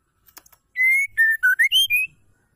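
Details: A female white-rumped shama whistles a phrase that keepers use to rouse males into singing: soft taps, then six clean notes, a long level one, two lower ones dipping, then a climb and a short drop.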